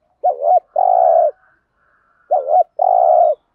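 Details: Cooing of a Spotted dove with thổ-style voice, used to prompt decoy birds to answer: two phrases of a quick wavering double note then a drawn-out level coo, separated by roughly two seconds of quiet.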